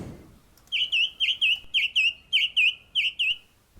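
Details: A male song thrush singing from a treetop in the New Forest, England, in 2021, possibly celebrating a chick hatching, repeats one clear, slightly slurred whistled note in quick pairs, about ten notes in three seconds.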